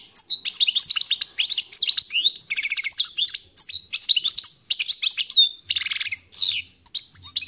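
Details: Wild-caught European goldfinch singing: a continuous rapid, liquid twitter of high chirps and slurred notes, broken by two harsh buzzy passages near the middle and toward the end.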